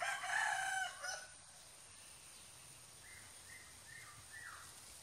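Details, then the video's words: Chicken from Nias, Indonesia, described as a hen reacting: a loud, harsh, harmonic crow-like call lasting about one second opens the recording, followed by a quiet stretch with a few faint, short descending chirps. "AYAM BETINA Asli Nias II Rooster"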